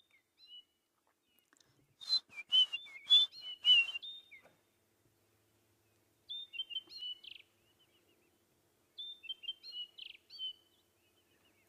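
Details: White-browed Scrub Robin on a sunrise drive, 5 September 2016, giving three bursts of high, varied whistles and chirps, imitating a drongo and seemingly a crombec while answering a human's whistled mimicry, fanning its tail in display; quiet outdoors.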